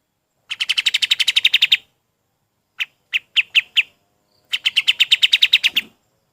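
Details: Golden-bellied gerygone song for training other birds: a quick burst of high slurred notes, a few spaced single whistles, then another rapid run of the same bright notes, in a quiet setting.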